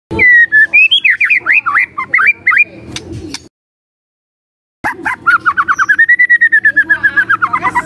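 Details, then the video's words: White-rumped shama song used as a lure to provoke other shamas: rapid whistled and slurred notes, a gap of silence, then a long run of quick repeated rising whistles. "Dalam Hitungan DETIK Murai Cepat NYAMBAR❗ Pancingan Murai Batu"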